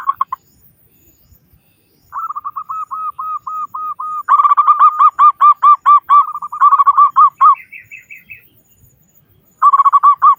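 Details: Local Indonesian zebra dove with a big, frequent voice, used as a lure to make other doves start singing. Bursts of rapid, evenly spaced mellow cooing notes, some runs faster and louder, with a brief higher chattering phrase and short silent gaps.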